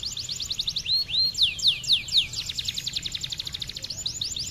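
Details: Lively canary song meant as tutoring material for other cage songbirds: fast high trills, then a few slower swooping, arched whistles, then a dense buzzy rattle and more quick repeated notes, all high-pitched and continuous, with faint low hum beneath.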